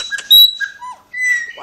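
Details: Pet Chopi blackbird in Brazil calling near its owner while bathing: a loud short whistle, a soft falling note, then a long steady whistle, with faint clicks.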